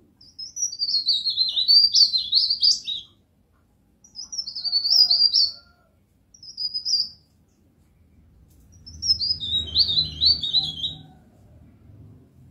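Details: Masteran song of a pied bush chat: a long, high, jumbled chattering phrase, then two brief twittering bursts, then another fast scratchy phrase over a low rumbling background.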